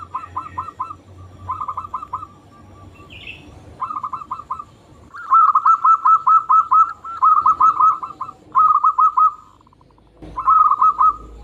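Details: A local zebra dove in full, active song, used as a lure to make other zebra doves sing. It gives bursts of rapid, rolling cooing notes in phrases of five to eight, separated by short pauses, with a faint low hum.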